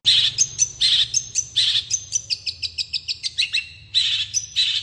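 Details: Dense, fast long-tailed shrike song used to draw answers from other shrikes: harsh rasping bursts interspersed with high whistles, then a fast sequence of short, bright chirps, and more rasps.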